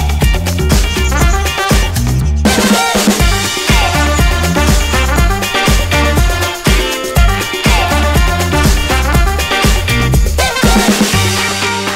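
Loud upbeat disco-funk music with steady drums, bass and bright instruments, and no animal sounds.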